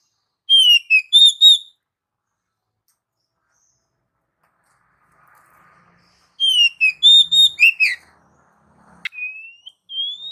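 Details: Pet-stimulating Oriental magpie-robin song in two bursts of quick whistled, slurred notes with harmonics, separated by silence, followed by a sharp click and two plain rising whistles.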